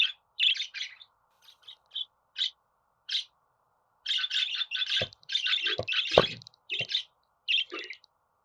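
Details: Budgerigar chirping in scattered scratchy notes that build into a dense, busy warble, with a few clicks and knocks mixed in.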